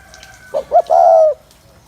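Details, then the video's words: A single close spotted dove phrase used to excite males: two brief stuttering notes then a long, smooth, level coo that slides down at its close. "Tiếng Chim Cu Gáy Gù Kích Bổi Mau Lên Lửa"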